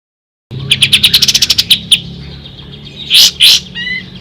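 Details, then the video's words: Ashy tailorbird singing, recorded as a tutor for songbirds: a rapid string of about twelve bright, clipped high notes, a pause, then two loud, harsh, broad notes. "Suara asli kapas tembak"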